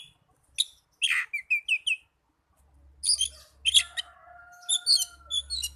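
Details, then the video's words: Oriental magpie-robin song meant to get young or silent birds singing: a harsh note, a quick series of short rising whistles, then dense twittering with a steady tone and low hum. "Terapi burung kacer muda dan kacer macet bunyii"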